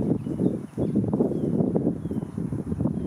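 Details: An Anhinga perched on a branch over a lake calls out with a low, rapid clicking rattle, a dry grunting chatter running almost nonstop for three seconds, over a faint steady high whine; Anhinga.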